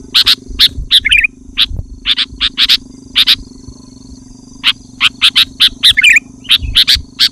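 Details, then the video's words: Sooty-headed bulbul, loud song for luring wild bulbuls and provoking rivals: steady series of short harsh notes, often in pairs, with a few warbled flourishes and a quiet stretch midway. "Suara Burung Kutilang Gacor Rapat dan Lantang Menekan Lawan Kutilang lain Langsung ikut gacor"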